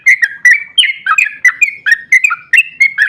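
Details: Sooty-headed bulbul in a rapid long-ropel song used to trigger replies from other bulbuls: continuous chirpy, warbling whistled notes tumbling quickly up and down in pitch.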